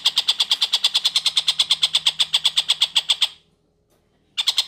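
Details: Long-tailed shrike uttering a fast sequence of harsh, pulsed notes, about four per second, stopping and starting again after a second's pause; a training track for oriental magpie-robins.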